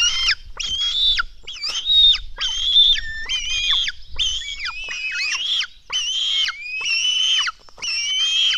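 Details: Black stork nestlings at a nest in Latvia, being fed at dawn, 04:53 on 24 June 2016: loud, harmonic, nasal whining squeals in bursts of about half a second, bending up and down, repeated roughly once a second.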